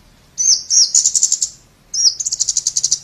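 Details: Scarlet-backed flowerpecker: two bursts, each a sharp high tick followed by a fast chattering rattle of clipped, very high notes, separated by a brief pause.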